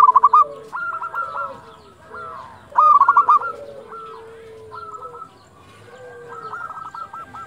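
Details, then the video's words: At dusk a local zebra dove calls in loud stuttering bursts of clipped coos, answered by fainter phrases and long lower gliding notes, the bursts roughly a few seconds apart. "perkutut lokal gacor panggilan waktu senja"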